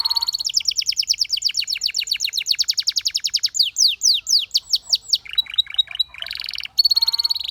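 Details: Song of a Belgian canary: a long, rapid metallic trill, then slower looping sweeps, rolled notes and a short bright buzz.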